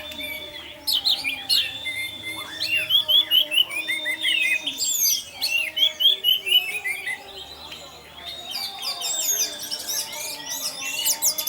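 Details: Orange-headed thrush singing in the continuous teler style, used as a lure to set other thrushes singing: dense run of bright whistles, slurred notes and rapid chirps, with a steady lower droning tone underneath.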